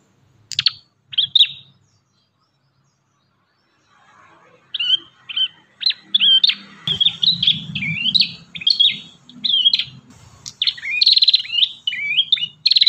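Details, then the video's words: Ashy tailorbird singing vigorously for a songbird training track: two brief whistled notes, a pause, then a fast run of sharp, buzzy chirps and upslurred whistles, with a faint low rumble beneath. "MASTERAN BURUNG PRENJAK KEPALA MERAH"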